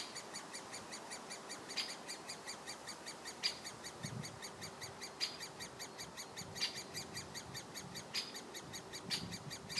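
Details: On 14 June 2017 in Lindgårdsskogen, Haga, great spotted woodpecker chicks begging for food keep up constant high, buzzy chattering while a parent gives sharp 'kik' alarm notes every one to two seconds.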